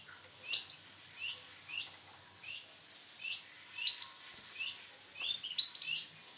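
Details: Sunkist-coloured male canary calling with bright, rising chirps spaced roughly every half second; three notes at intervals ring louder and shriller than the rest, over a quiet background.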